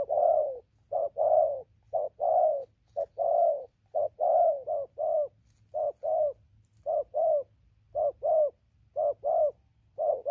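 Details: Spotted dove, newly caught, calling nonstop as it moves from tree to ground on 15/11/2020: a long run of low, hollow coos in paired notes, evenly repeated, with a faint hum.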